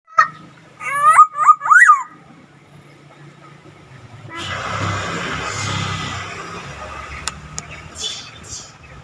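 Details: Black-naped oriole giving an unusual call: four quick, nasal, harmonic-rich notes bending upward in pitch within the first two seconds, then a long stretch of broad hissing noise with a few sharp clicks.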